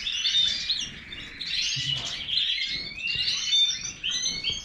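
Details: Major-type European goldfinch delivering a fast chattering song: tinkling high twitters, brief whistled slurs and rolling trills in an unbroken stream, pausing briefly mid-phrase before resuming.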